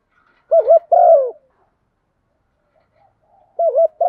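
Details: Female spotted dove calling to stimulate males to coo back: a wavering coo, a longer falling coo, then after a pause another wavering coo. Quiet background.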